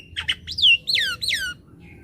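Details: Javan myna, lively gacor singer used to attract birds and restart silent ones: two buzzy rasps followed by three loud slurred whistles, each sliding down from high to lower pitch.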